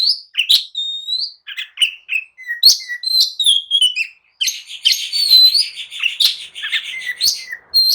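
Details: Oriental magpie-robin singing agitatedly to goad others into answering and fighting, short whistles and harsh chatters building into a loud, dense stretch of rapid varied notes.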